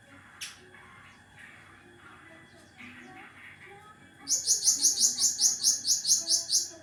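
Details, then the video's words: Caged Cucak ranting giving a sharp, rapid trill: about a dozen high, piercing chipping notes repeated quickly and evenly over nearly three seconds, preceded by scattered softer chirps and a faint background hum. "Besetan Tajam Burung Cucak Ranting"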